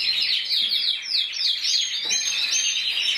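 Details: Intense yellow canary, individual bird that was 2014 Spanish champion with 94 points, singing a continuous high twittering song of rapid trills and sweeping whistled notes, with repeated downslurred phrases around the middle.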